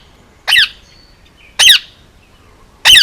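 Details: Male Indian ringneck parakeet, almost two years old, hand-raised on Oahu, Hawaii, giving three loud harsh squawks spaced about a second apart, each a short burst with a stacked, grating tone, quiet room between.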